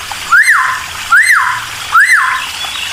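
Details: Cucak timor provoking other birds with its song: three strong arched whistles, each swelling up and sliding down, at intervals of under a second, with gushing water in the background.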